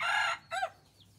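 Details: A red junglefowl decoy cockerel in Roi Et, Thailand, gives a brief, harsh crowing phrase: a loud strained note, then a shorter rising-and-falling tail, with quiet background afterwards.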